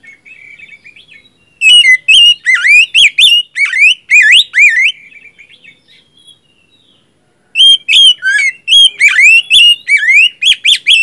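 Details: Magpie-robin, a caged songbird being stimulated with a recording so it answers and sings, delivers loud varied whistled phrases with rising and falling slurs and sharp chirps in two dense bursts separated by a quiet pause.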